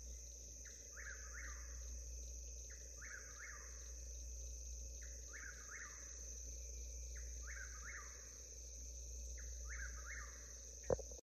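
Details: Eastern whip-poor-will in the Alabama Black Belt at about 5 a.m., just before daylight, sings its rolling three-note whip-poor-will phrase over and over, about every two seconds, over a steady high insect trill and low rumble.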